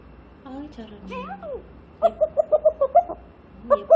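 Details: Pet grey parrot during morning chatter: soft voice-like murmurs and gliding tones, then a rhythmic run of short mid-pitched notes, about six in a second, like mimicked syllables.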